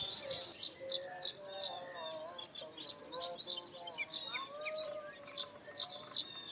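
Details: Baya weavers working on several nests together. Sharp high chirps fire in quick clusters while lower whistled slurs, some rising, some falling, weave beneath the busy chattering.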